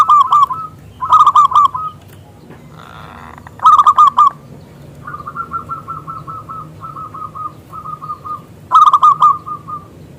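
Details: Local zebra dove singing steadily with a big voice, used as a lure to get other doves to sing: short bursts of fast, bubbling coo notes, a longer even run of repeated coos in the middle, quiet background.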